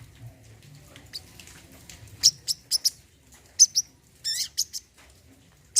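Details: Song of a brown-throated sunbird (kolibri kelapa), used as therapy to restart a bird that stopped singing: thin high ticking chirps, a short downward-swept buzzy phrase, quiet gaps between notes.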